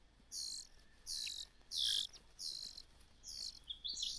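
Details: Common cuckoo chick, bullied by a tiny host bird and denied food, begging: high, hissing, buzzy bursts repeated roughly every 0.7 seconds against a faint steady background hum.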